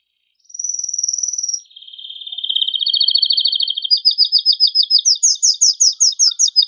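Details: Vigorous song of a male canary used to stimulate breeding: a high steady trill, then a lower rolling trill, rising into faster, higher repeated chopped notes.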